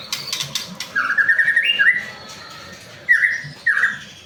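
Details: White-rumped shama song used as a prompt to get other shamas singing quickly: a few harsh noisy bursts, then a fast run of clear notes rising into a whistled phrase, followed by two short descending whistles.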